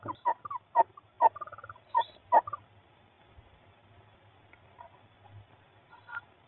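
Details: Female tawny owl back at the nest box after gone 10am, chatting with her offspring; a quick series of short hoarse chirruping calls over the first two and a half seconds, then quieter scattered notes, recorded on a nest box camera.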